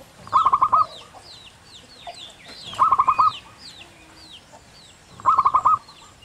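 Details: Wild local zebra dove singing actively, its long clear 'kung' song: three phrases about two and a half seconds apart, each a quick stuttering run of four or five low, mellow coos, while other birds whistle and chirp higher in the background.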